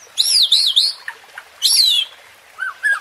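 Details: White-rumped shama (murai batu) provocation song, meant to rouse a rival bird's fighting spirit: clear whistled phrases with wavering, looping notes, a pause, then a bright descending whistle and two short slurred notes at the end.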